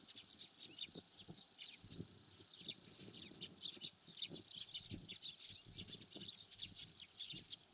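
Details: Dense, continuous chirping of wild Eurasian tree sparrows in Japanese farmland or grassland: sharp high tweets tumbling over one another from several birds, with soft low background noise.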